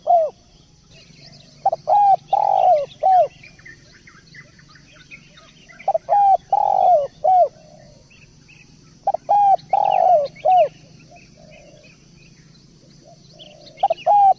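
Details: Spotted dove song for a masteran, repeated about every three to four seconds: each phrase has a short stuttering lead-in, then a long falling coo and a clipped final coo. Faint chirps of small birds sound between phrases.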